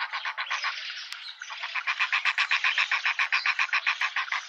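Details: Young hornbill and its parents in a South African suburban garden in Pretoria; steady, regular clucking notes repeated about four times a second, growing louder toward the end.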